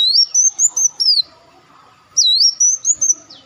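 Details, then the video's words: Olive-backed sunbird lure sound: two bursts of high, swooping, wavering whistles, each dipping then rising and sliding down, separated by a quiet pause. "audio pancingan burung madu Wulung/Muncang"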